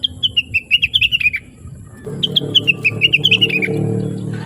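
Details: Blue-winged leafbird on a training recording meant to spur other birds into song: two runs of quick, bright, downward-stepping chirps, the second overlaid by rising low rumbling noise.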